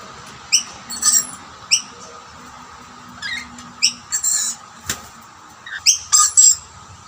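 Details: Rainbow lorikeets feeding together at two snack plates while a dominant male drives off rival birds: bursts of clipped high chirps and rasping screeches in clusters, with a sharp click midway.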